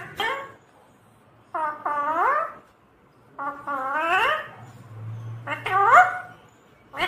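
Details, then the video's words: Pet parrot talking: three loud, voice-like phrases with rising and falling tones, each about a second long and separated by short pauses, over a faint low hum. "cute talking parrot"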